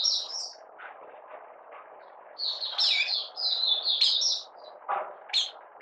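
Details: Malaysian Oriental white-eye, a moulting bird out of form, recorded 31 July 2023, giving 'buka sing' opening song: quieter high warbled phrases with gaps, over steady low background noise.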